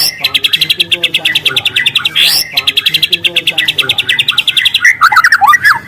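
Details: Wild white-rumped shama with long, loud canary-style phrases for luring: fast, even rattling trills of repeated sharp notes, broken by a swooping whistle, ending in jumbled chirps.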